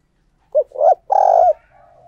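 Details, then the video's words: A spotted dove serving as a decoy coos to lure wild doves. A single low phrase: a short note, a swelling hoarse note, then a longer rolling coo, followed by a faint distant coo. "Chim Cu Mồi Thúc Gù Gáy Gọi/ Tiếng Chim Cu Gáy Kích Bổi"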